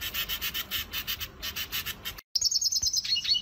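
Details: Red siskin training song for cage birds: a rapid buzzy trill of high chirps repeated about three times a second, broken by a brief silence, then a sweeter run of high twittering notes.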